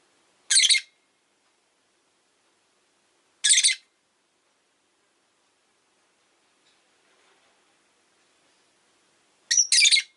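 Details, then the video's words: Rosy-faced lovebird chirping on a relaxed afternoon: three short, harsh, high chirps spaced about three seconds apart, with near silence between them. "Lovebird Chirping Sounds"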